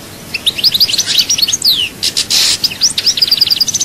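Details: European goldfinch, chaayba song, Souk Ahras, delivering a continuous run of sweet, high chirps and slurred notes, a long descending whistle, a brief rasping burst, then a rapid series of clipped, repeated notes.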